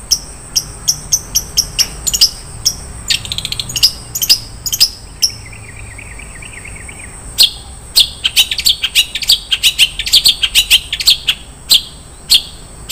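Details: Long-tailed shrike 'isian' song: fast, evenly spaced high ticks, then a short rattling trill, followed by a dense, rapid stretch of chattering high notes.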